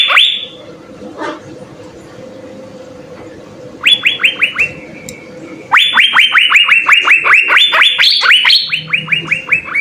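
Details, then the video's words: Asian fairy-bluebird singing in the vigorous full-isian manner used to tutor caged songbirds: a single whistled note, a short pause with faint background noise, then bursts of rapid, repeated, ringing upward-sweeping notes, occasionally pitched higher. "suara 4 CUCAK BIRU GACOR full isian SI BURUNG SURGA"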